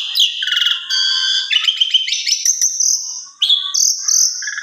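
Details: Asian pied starling song used as a lure to provoke a silent bird into singing: a continuous, varied run of loud whistles, buzzy notes and rapid trills jumping between high and mid pitches, with brief sharp clicks and a short pause near the end.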